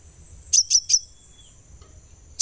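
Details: Sunbird, in a recording used as therapy to get birds singing actively: three sharp, very high chirps in quick succession, then a thin fading whistle and one last chip, over a steady high electronic-sounding tone.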